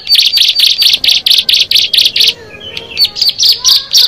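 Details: Bar-winged prinia, known locally as ciblek, one of six birds brought together: fast runs of sharp high chirps, about eleven in two seconds, a brief pause, then a further run of similar chirping notes.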